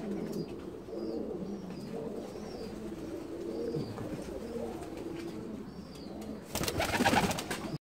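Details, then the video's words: Bursa breeder's Saltanat pigeons, an ornamental Turkish breed from Ottoman palace lofts, giving continuous low rolling coos, with faint higher chirps above and a loud rustle near the end. "Kendini Papağan Sanan Güvercin - Saltanat Güvercini"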